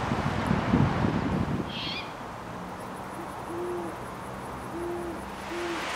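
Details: Great horned owls with owlets, nestlings to fledglings, in a hilltop grove on Strawberry Island above Stow Lake, Golden Gate Park, San Francisco, at dusk in spring or summer: a brief raspy hiss, then three deep even hoots evenly spaced, over steady low background rumble.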